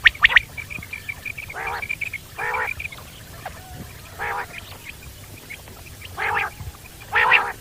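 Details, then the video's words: Common quail calling in the wild, somewhat distant: quick sharp notes at the start, then several separate nasal, buzzy bursts at regular intervals over a hushed background. "Common quail sounds"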